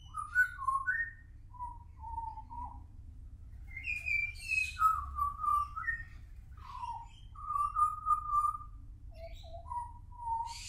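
A young pied butcherbird sings rich, fluty whistled phrases that slide and warble between low and mid pitches, with brief pauses, over a faint low hum.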